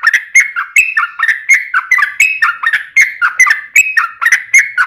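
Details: Yellow-vented bulbul singing a long 'ropel' phrase, used to coax other bulbuls to sing. Dense rolling chirps and slurred whistles roughly three per second form a steady chattering sequence.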